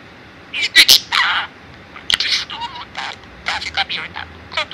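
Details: Male budgerigar, four years old, kept indoors in Mie, Japan, that mimics its owners' Kansai-dialect speech. It gives a fast stream of shrill, buzzy, word-like syllables in uneven bursts with short pauses between them.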